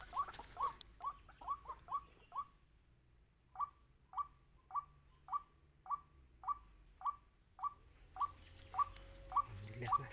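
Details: White-breasted waterhen calling as wild birds are lured for trapping: a rapid series of short clipped notes, a brief pause, then evenly spaced notes every half second, with a faint hum near the end.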